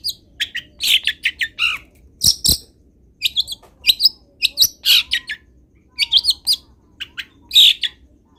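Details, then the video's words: Long-tailed shrike in lively song rich with mimicked wild bird phrases. Sharp chirps, clustered twitters and a few lower slurred notes come in uneven runs, broken by two loud clicks. "CENDET GACOR ISIAN MELIMPAH - MASTERAN CENDET GACOR FULL ISIAN BURUNG LIAR"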